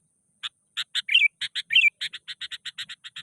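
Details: Sooty-headed bulbul, agitated and eager for a fight, challenging a rival: harsh buzzy chatters mixed with two twisting whistled notes, speeding into a steady run of about six rasping notes per second.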